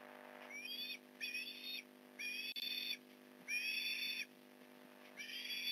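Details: Port Lincoln Osprey nest, fish delivery on the morning of November 15, 2019: a rising whistle opens a run of five strident, harmonic-rich call bursts, about half a second to a second each, with a faint click and low hum.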